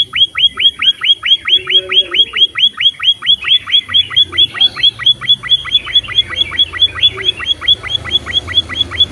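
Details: Munia (emprit) in energetic voice, a recording meant for tutoring caged birds. Rapid, regular high chirps with falling tails continue without pause at just over two per second, with faint low rumble beneath.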